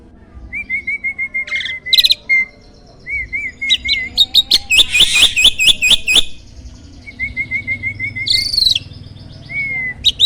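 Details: Champion starling used as a master recording for training contest songbirds, praised for a loud voice and varied song: level whistled notes, then a rapid burst of sharp chattering clicks and high squeaky phrases.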